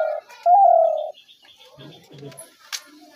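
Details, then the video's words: Spotted dove luring call for dove traps: a short low coo followed by a long, smooth, gently falling coo, then quiet rustling and a faint click. "ঘুঘু পাখির ডাক/Dove bird calls/gugu pakir dak/ dove trap sounds"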